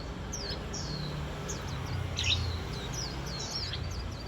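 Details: Autumn's opening day with warbling white-eyes twittering: a continuous stream of thin, high, downslurred chirps from several birds, somewhat faint, set against persistent low-pitched background rumble.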